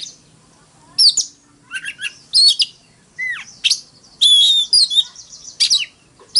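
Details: Fighting song of an Oriental magpie-robin: bursts of sharp whistled notes, falling slurs and buzzy phrases separated by short pauses, some high clear whistles near the end; faint low hum behind.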